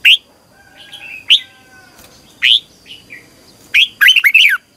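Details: Morning practice song of a red-whiskered bulbul for competitions, scattered single rising chirps followed by a closing burst of rapid warbled notes, with a faint steady tone behind.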